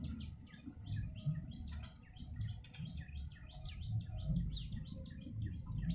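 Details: Yellow-bellied prinia in a recording used to lure birds: quick series of short chirping notes, some sliding downward, in a busy rhythm over steady low rumbling background noise.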